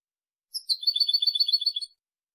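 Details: Goldfinch song for training, recorded in 2023: a soft, fast trilling twitter lasting about one and a half seconds, with many high notes run closely together.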